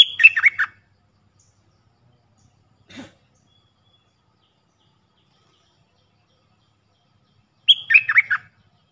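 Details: Puff-throated bulbul decoy call used to train young, hand-reared birds: two short, loud chattering phrases of tumbling, descending notes about seven seconds apart, separated by silence with a single faint click.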